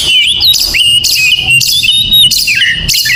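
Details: Brief burst of oriental magpie-robin song in the morning, a steady high whistle broken by quick squeaky flourishes and sharp clicking notes.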